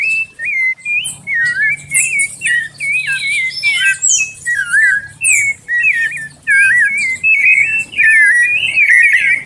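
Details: Warming-up song of a sabiá (thrush), a run of clear, warbling whistled phrases rising and falling, delivered in quick bursts roughly every second, with some higher squeaky notes mixed in.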